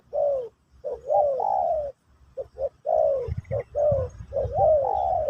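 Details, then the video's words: Teaching-session song of a spotted dove in Pesom or Kacuk style for a new bird: rich low coos, some doubled and gently wavering, delivered in lively clusters with brief pauses. "Burung Terkukur Pesom/Kacuk...Sesi Mengajar Burung Baru"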